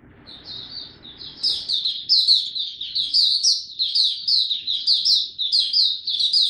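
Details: Caged young white-eye, called a Dagger bird, Singapore, 9 February 2022, song maturing: soft high notes building into loud, quick, rhythmic twittering phrases repeated about once a second.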